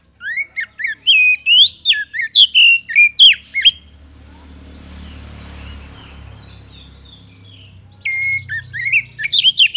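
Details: Oriental magpie-robin song used as a lure for quick response: nearly four seconds of rapid, loud whistled and chirped notes, a quieter gap with faint calls and low rumble, then the song resumes vigorously.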